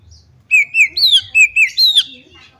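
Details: Oriental magpie-robin female whose calls prompt others of its kind to sing and shriek; seven rich slurred notes in a rhythmic series, some level and dipping, others sweeping down from higher pitch, ending in a long falling note.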